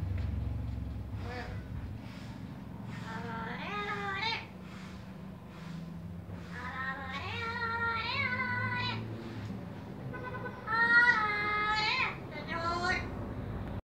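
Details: A parrot sings the song "Alabaré" in a reedy, voice-like tone: short wavering melodic phrases in bursts a second or two apart, over a low background rumble.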